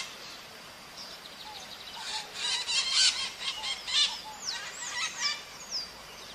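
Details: Maritaca parrots in the wild giving a cluster of rough, grating squawks in the middle, with slurred high whistles from other birds before and after.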